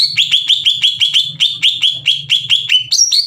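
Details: Greater green leafbird singing loudly and aggressively, challenging other leafbirds to fight; a fast series of about a dozen sharp, rising whistled notes, evenly spaced, ending with a higher ringing note, with a low hum beneath.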